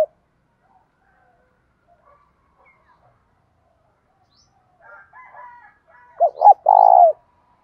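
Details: Spotted dove in the loud, clear thổ voice style, calling to provoke a fight: after near silence with faint soft notes, one phrase near the end of two short clipped coos followed by a long, full coo.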